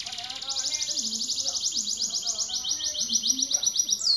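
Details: Caged canary in full song, a fast rapid trill of high notes repeated about four times a second, steady and ringing, ending with a swept whistle; faint low murmur beneath.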